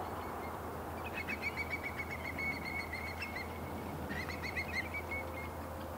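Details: A feeding whimbrel at Yumenoshima, Koto, Tokyo, on 2 May 2019 gives two bursts of rapid, rippling whistled notes on a fairly level pitch, each lasting one to two seconds, over a low steady rumble.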